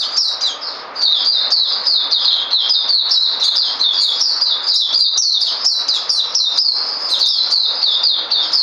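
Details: White-rumped shama singing a continuous, rapid warble of clear, high whistled phrases, each note sliding up or down, delivered without pause.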